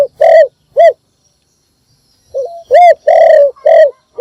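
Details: Decoy spotted dove's morning call for attracting other birds: two final coos of one phrase, a short silence, then a new phrase of a soft lead note and four deep, repeated coos.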